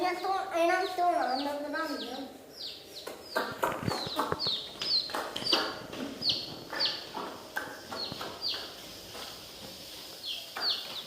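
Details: Baby chickens, dyed in many colours, in a village; a low wavering animal cry opens, then many high downward peeps follow rapidly amid clattering sounds.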